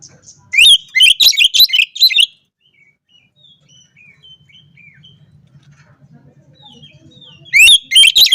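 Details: Singing Oriental magpie-robin calling out opponents, provoking rivals, in the morning; a short loud burst of rapid varied phrases, then a long pause with faint distant chirps and a low hum, then another loud burst.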